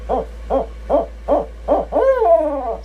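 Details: Barred owl (Strix varia), hoot.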